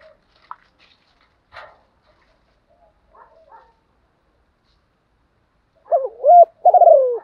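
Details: Spotted dove used as a decoy bird, cooing all day to stir newly caught wild doves into cooing; a few faint scattered sounds, then near the end a run of low, loud, hollow coos.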